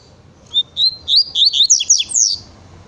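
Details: Double-collared seedeater singing a fast song in natural style; a quick run of about ten high, clear, sweet chirped notes rising and climbing in pitch, each note slurred, over quiet background.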